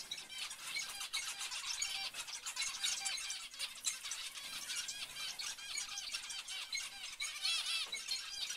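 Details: A flock of zebra finches chattering nonstop: rapid, overlapping nasal chirps and short harmonic notes, roughly four per second, forming a steady high-pitched chorus.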